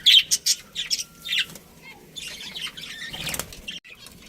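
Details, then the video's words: Pet budgerigars in a colony, a brief run of sharp high chirps at the start, followed by wing flapping and rustling with softer scattered chatter. "Cute Budgies Chirping Sounds"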